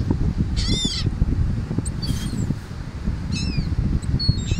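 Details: Wild seagulls circling above a person feeding them on an Atlantic City, New Jersey beach; a loud nasal squeal followed by scattered shorter mewing cries against constant wind and surf rumble.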